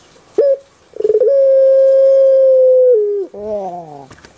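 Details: Puter pelung dove, a bird kept and admired on Java, Indonesia: a short pip, a stuttering onset, a long steady hoot held nearly two seconds, then a falling, burbling roll; faint clicks at the end.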